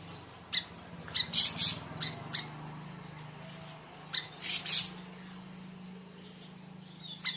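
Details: Siri siri raja, also called siri siri besar, singing: short high sharp chirps and buzzy bursts in irregular clusters, over a steady low hum.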